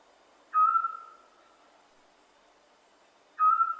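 A Scops owl gives two short, clear, mellow whistled notes, each sharp at the start and fading quickly, about three seconds apart, over a quiet background.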